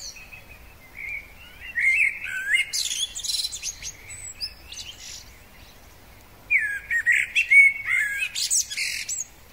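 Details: Common blackbird, a male in spring, delivers two separate song phrases several seconds apart. Each opens with rich, low whistled warbles and ends in a scratchy, high-pitched chattering flourish. The pauses between phrases are quiet.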